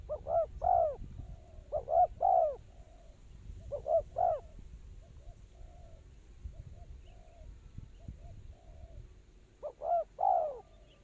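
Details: Cooing of a spotted dove kept as a trapping lure. Phrases of two short notes plus a longer slurred coo repeat roughly every two seconds, with a quiet gap and fainter distant coos before a final loud phrase.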